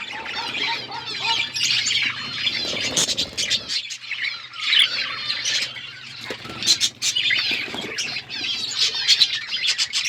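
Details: An outdoor aviary of budgies, called wild, chirps away: layered warbling chatter and scratchy squawks in waves, with a soft low hum beneath for the first few seconds.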